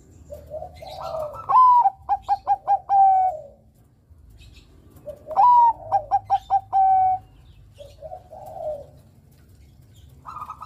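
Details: Zebra dove of the Bangkok type in full song, meant to stimulate young males: two phrases, each a sliding upward coo followed by five staccato beats and a long even final coo, separated by low soft cooing.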